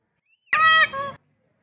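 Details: An Indian peafowl roaming at a temple in Taos gives one loud, nasal, trumpeting cry in two parts, a harsh drawn-out first note then a shorter, lower second note, said to sound like 'a-hole'.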